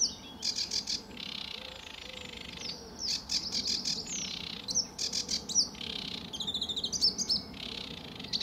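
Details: Sedge warbler in full song, RSPB Fowlmere, July 2013, early morning: buzzy grating bursts alternate with bright whistled sparks and stuttering chips in quick, irregular phrases.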